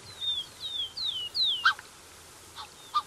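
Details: Black-necked Swans, a pair with cygnets at close range: four thin, falling whistles in quick succession, followed by a few spaced, brief nasal honks against a quiet background.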